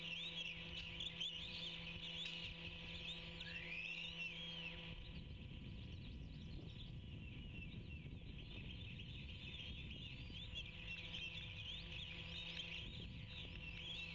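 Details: Two osprey chicks on a nest about 80 ft above a Georgia coastal salt marsh, 16 April 2019, as the female brings evergreen: thin high chirps and whistles, one rising sharply, over strong wind rumble and a brief hum.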